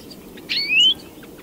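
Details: European greenfinch (Chloris chloris): a single short, rising, whistled note over low background rumble.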